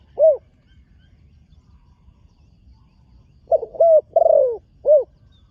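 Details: Spotted dove being trained, on a dirt competition ground for the first time. One isolated low coo, a pause, then a tight cluster of stuttered and drawn-out coos, closing with another single note.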